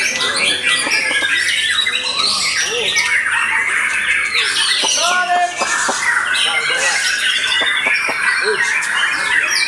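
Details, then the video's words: White-rumped shama singing vigorously after moult, a dense mix of high chattering trills and whistles; a few short lower harmonic notes cut in midway. "Murai Batu VOKALIS Pasca Mabung Semakin "WOW""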